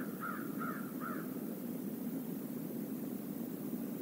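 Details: Crow from a flock visiting a stream area giving three quick harsh caws in the first second and a half, then only steady low stream rumble.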